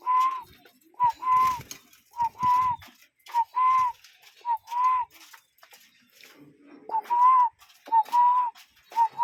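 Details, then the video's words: Real cuckoo calling in nature, repeating hollow two-note phrases roughly every second, each a short upper note then a longer whistled tone, with a brief low murmur partway through. "Relaxing Cuckoo Bird Sound in Nature"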